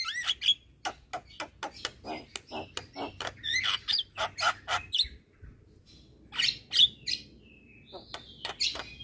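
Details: Tutor song (masteran) of Javan myna and related mynas for birds slow to sing: a series of short clicking chips and squeaky whistled notes, some rising, with spaced buzzy bursts and a thin whistle near the end.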